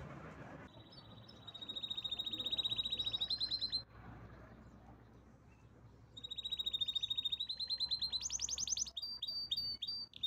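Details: Canary singing a powerful song: two long rolling trills near the top of its range, each a steady run of rapid pulses, the second rising into a higher buzzy burst and ending in quick chips, with a quiet pause between them.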